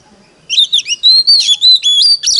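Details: Decoy Oriental magpie-robin in competitive song, giving a brisk series of loud, pure whistled notes with upward and downward slurs, several held steady, closing on a burst of buzzy twitters.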